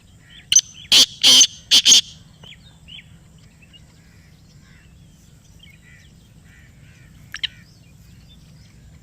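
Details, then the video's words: Black francolin (kala teetar) calling back after a call was played to it: one short thin note, then three loud harsh grating notes in quick succession, followed by quiet with a few faint distant chirps. "یہ آواز سنائی تو کالا تیتر بول اُٹھا . Kala Teetar Ki Awaz | Black Partridge Voice"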